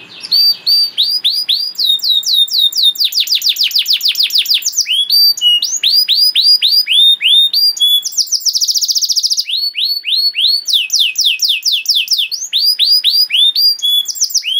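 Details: Long canary song for tutoring young canaries: tours of repeated high slurred notes change every few seconds, including a rapid rattling trill, with pauses between phrases.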